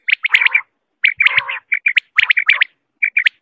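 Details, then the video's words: Quail giving quick sharp notes in rapid clusters, some pairs and some longer runs mixed with harsher rasping notes, with short pauses between bursts. "صوت سمان((الفر)) Quail sound"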